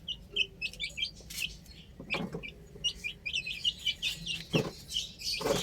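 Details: Chicks playing on a rooftop give scattered high peeps, broken by several dull knocks and thuds.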